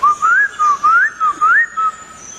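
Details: Laughingthrush gives a short series of pure whistled phrases, each sliding upward, five evenly spaced notes in little over two seconds.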